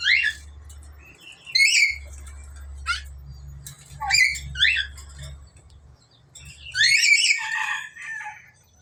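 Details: Black-capped lory with yellow beak, a talking parrot, uttering scattered raspy, chattering word-like calls with sharp sweeping notes, in several bursts separated by gaps; low mechanical hum underneath.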